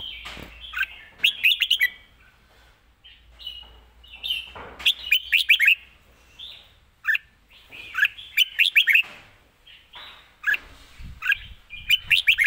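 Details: Fast, well-phrased live song of a caged red-whiskered bulbul. Rapid stuttering chip series lead into high rolling warbles, repeated in clusters throughout with little pause.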